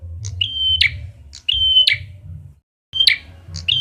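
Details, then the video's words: Red-headed prinia lure sound, a short high pip followed by a flat whistled tone that ends in an abrupt crackly drop, given three times with a brief pause before the last, low background hum throughout. "SUARA PANCINGAN BURUNG PRENJAK KEPALA MERAH"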